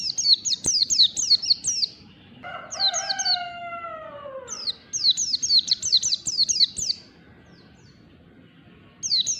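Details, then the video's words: Morning ngalas song from a white-eye, meant to get a silent bird singing: bursts of rapid, thin descending whistles about twice a second, with a rooster crowing loudly in the background partway through. "pancingan pleci malas bunyi, PLECI NGALAS DI PAGI HARI"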